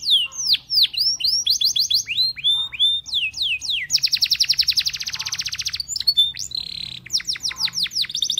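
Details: Belgian canary song encouraging other canaries to sing: a rush of sweeping whistles and stacked trills, a long buzzy rolling passage in the middle, then a sustained buzz and more quick sweeps.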